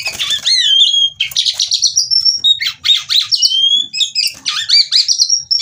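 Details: Varied, fast-paced song of a female white-rumped shama used to spur singing: rich slurred whistles, sharp rising and falling sweeps and rattly bursts run together almost without pause.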